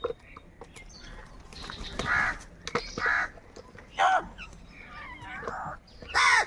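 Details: Crows calling in the morning: a series of loud, harsh, hoarse caws roughly every second, rising and falling, with quieter chirps and clicks in the background.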